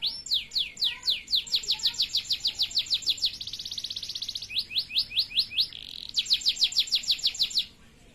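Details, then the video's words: A male canary sings plain song: fast series of repeated high sweeping notes, about three per second, then a rapid buzzy roll, a brief lower tone, and another run of repeated sweeps. "تغريد فحل جزري ساده"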